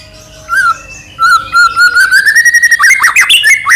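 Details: White-rumped shama singing to provoke a rival shama into song: a sustained whistled note slowly rising in pitch, breaking into a burst of fast, jumbled chattering and squeaky notes toward the end.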